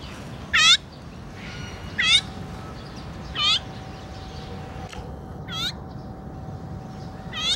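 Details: Azure-winged magpie complaining, recorded 17 July 2017: loud, harsh, ringing calls with a looping rise and fall, given singly about every one and a half seconds over a steady background hiss and a faint hum.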